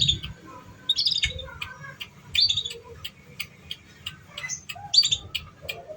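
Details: Canary song played to coax young canaries into singing: bursts of high chirps and clipped notes mixed with lower warbled phrases, irregularly spaced, over faint low rumbling.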